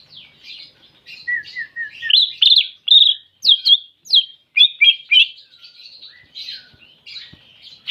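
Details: Greater green leafbird singing in the clear 'tembakan' style: a rapid, varied run of sharp high chirps and slurred whistles, with a short series of lower even notes near the start, then loud clipped bursts packed closely together.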